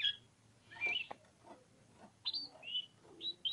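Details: Softer oriental magpie-robin song: a few scattered whistled notes and short upslurs separated by quiet gaps, with faint low hum behind.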